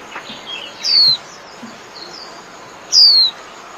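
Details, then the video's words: Two sharp, high-pitched descending whistles from a white-eye calling its flock, spaced about two seconds apart, with faint lower chirps in the quiet background. "Chim Vành Khuyên (Chim Khuyên) hót gọi bầy"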